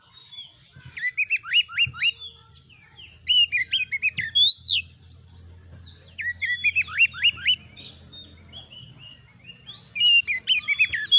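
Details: Oriental magpie-robin in full song, played as a model for other caged birds: repeated bursts of rapid upslurred whistles and harsh chattering notes, with phrases returning every few seconds over a low background hum.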